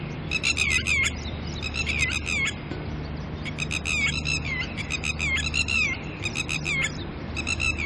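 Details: Red-wattled lapwing pair, disturbed by a person nearby and tending chicks early in the morning, giving harsh, rasping bursts of calls in repeated clusters with short gaps, over a steady low hum.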